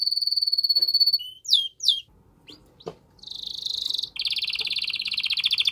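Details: A canary's strong mating song to stimulate a hen: a steady high trill, a couple of sharp downward sweeps, a short pause with faint clicks, then dense buzzy rattling trills continuing to the end.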